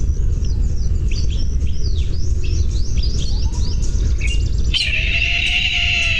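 A Brahminy Kite gives a drawn-out, wheezy, high mewing note near the end, after a run of quick twittering chirps, over a steady low rumble.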